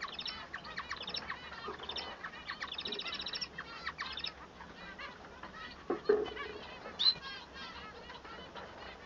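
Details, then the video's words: Male Bengalese finch singing: a run of fast, buzzy, harmonic-rich notes for about four seconds, then quieter scattered chirps with a couple of sharper accented notes near the end. "El canto del manon"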